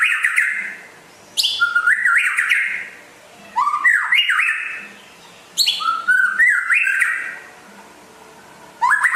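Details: Rare West Aceh white-rumped shama singing energetically: loud phrases of whistled notes that jump and step between pitches, each burst about two seconds long and separated by short pauses, starting with a high sharp note.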